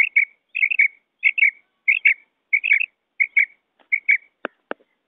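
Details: Quail on a batair cassette repeats crisp, high double chirps about every two-thirds of a second, seven pairs in a row, followed by two sharp clicks.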